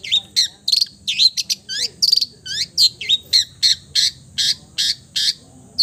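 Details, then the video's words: Mimicking song of a long-tailed shrike copying other bird species. Curling, looping whistled notes alternate with harsh rasping bursts, repeated roughly twice a second and growing steadily harsher toward the end. "MERDU SUARANYA, BISA MENIRUKAN SEGALA SUARA JENIS BURUNG | CENDET FULL MATERI"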